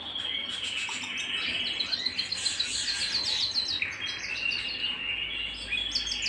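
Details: Home canary song: a dense, continuous stream of high chirps and rapid trills over a steady rolling tone, busy and unbroken throughout.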